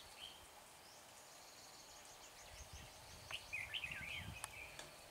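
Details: Red-whiskered bulbul, 24 March near Hương Pagoda, singing to draw wild birds into a trap; after a quiet start with a faint note, one lively warbling phrase of rising and falling chirps, plus a sharp click and outdoor hiss.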